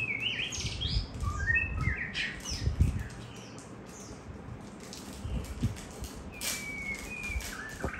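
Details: White-rumped shama singing as a child plays with it: a few bright whistled notes at the start, a long gap filled with low rumbling handling noise, then more drawn-out whistles near the end.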